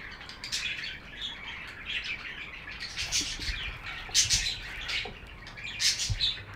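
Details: Chattering budgerigars give thin chirps and rasping warbles that swell into sharper, louder squeaks at intervals of about a second or two.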